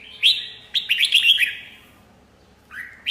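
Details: Red-whiskered bulbul song: a loud rising note, then a rapid run of warbled whistles, quiet pause, and a final upslurred whistle.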